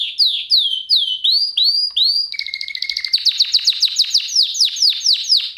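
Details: Canary singing in a lesson recording meant for other canaries: slow looping whistled notes rising and falling, then a dense run of rapid sharp chips with a low steady tone beneath, then clear descending sweeps.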